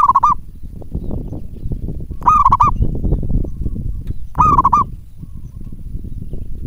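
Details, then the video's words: Local zebra dove singing actively, used as a lure to draw responses from other doves: short bubbling cooing phrases with a quick trilled wobble, three bursts repeated roughly every two seconds over a steady low rumbling background noise. "perkutut lokal gacor buat pancingan"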